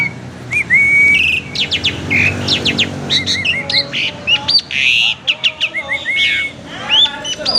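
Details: Very vocal kept Asian pied starling with a varied song used to provoke singing: loud chattering series of short sharp notes, whistled rising and falling slurs, and a clear steady whistle, all delivered nonstop.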